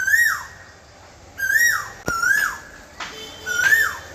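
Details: Asian koel giving clear whistled notes that rise and then slur downward, repeated roughly every second and a half, with a couple of sharp clicks between.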